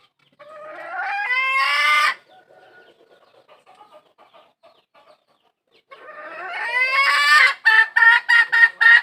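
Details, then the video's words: A hen calling for a rooster gives a long, rising, tonal call. After a quiet gap with faint clicks, another drawn call breaks into a rapid run of short, sharp clucks. "tiếng gà mái kêu tìm trống"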